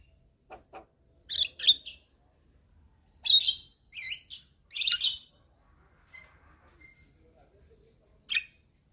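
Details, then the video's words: Javan myna from a tutor and lure recording used to get a bird singing actively: scattered harsh, scratchy squawks in short pairs and singles, separated by quiet gaps of a second or more. "Masteran Dan pancingan Jalak Kebo"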